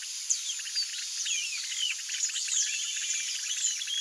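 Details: Yellow-rumped marshbird (Pseudoleistes guirahuro) feeding on Brachiaria seeds, giving a busy stream of overlapping chirps and sweeping whistled notes, high and rapid, over a steady high insect hiss.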